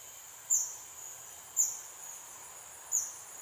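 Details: Blue-eared kingfisher, a rare resident in Singapore, giving its loud call: three sharp, very high-pitched piercing notes roughly a second apart, each fading quickly, over a steady shrill insect drone.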